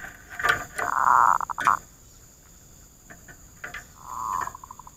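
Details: Zebra dove serving as a trapping lure and answering rivals: a strong sustained coo followed by quick stuttering notes, then a second, quieter coo trailing into rapid pulses, over steady background hum.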